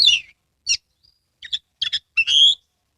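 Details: Oriental magpie-robin, a kept bird in Kebumen, Central Java, Indonesia, singing energetically with its tail spread: scattered bursts of high buzzy and whistled notes, ending in a longer rising whistled phrase, separated by short silences.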